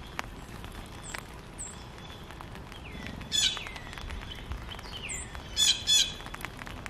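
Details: Backyard birds in Missouri, North America: scattered thin, down-slurred chirps from several birds, broken by a few brief buzzy, chattering bursts midway and near the end, over a steady outdoor hiss.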